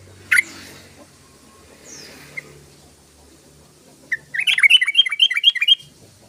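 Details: Yellow-vented bulbul song used as a lure for other bulbuls: after a few scattered single notes, a rapid bubbling run of short warbled phrases rising and falling, about two per second, lasting nearly two seconds.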